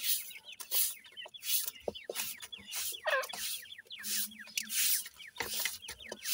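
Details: Francolin chicks at feeding time peep in thin, falling notes, several overlapping, with one louder wavering call near the middle and steady rustling throughout.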